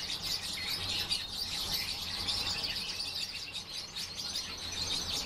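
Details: Group of European bee-eaters giving a continuous stream of bright, trilled chirps that overlap one another, high in pitch, over a faint low drone in the background.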